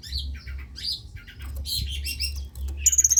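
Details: Long-tailed shrike singing, a recording meant to stimulate idle shrikes. Dense, scratchy, squawking phrases run almost without pause and end in a clear, rapid high whistled trill, with a low hum beneath.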